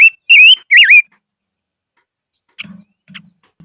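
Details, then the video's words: Singing decoy silver-eared mesia in upland country: three bright, looping whistles at the start, then silence broken by short high chips and soft low thuds. "Chim Ngũ Sắc Mồi Hót Trên Vùng Cao Toj Siab Suab Noog Tsheeb Quaj"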